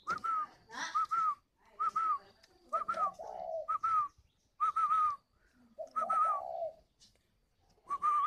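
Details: Spotted dove decoy bird calling in the gọi hậu style: short whistled notes repeated about every half second, now and then broken by deeper drawn-out coo phrases, with faint rustling between them.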